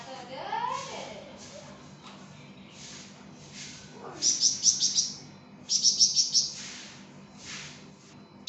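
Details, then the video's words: Flamboyan bird singing actively for a songbird tutor recording: a low swooping warble opens, scattered soft high notes follow, then two quick bursts of sharp, ringing high chirps. "𝗯𝘂𝗿𝘂𝗻𝗴 𝗳𝗹𝗮𝗺𝗯𝗼𝘆𝗮𝗻 | 𝗳𝗹𝗮𝗺𝗯𝗼𝘆𝗮𝗻 𝗴𝗮𝗰𝗼𝗿 | masteran flamboyan"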